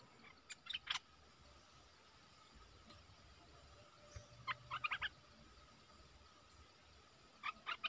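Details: Red-whiskered bulbul used as a decoy bird to lure wild birds, recorded 23/07/64. Three bursts of quick, bubbly notes come near the start, the middle and the end, with quiet hiss between them.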